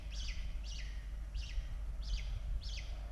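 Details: Peregrine falcon at a nest in Australia during evening feeding of chicks, 16 October 2022: five sharp, descending chirped calls about half a second apart over steady low background rumble.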